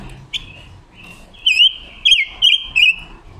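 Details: Red-billed leiothrix, a female decoy bird singing to train voices and lure others for trapping; a thin high whistled note followed by a quick run of four loud, bright warbled phrases.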